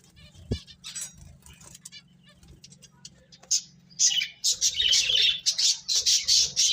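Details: Finches at play and feeding, soft scattered twitters at first, then a loud run of rapid, harsh high chirps repeated about twice a second over a low steady hum.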